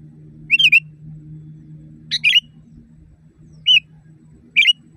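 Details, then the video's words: Loud natural song of a sooty-headed bulbul, used as a training recording for caged birds: four quick, gurgling whistled phrases with a rolling up-down shape, separated by pauses, over a steady low hum. "Masteran burung kutilang di tempat raja kutilang. Suara keras fulll alam"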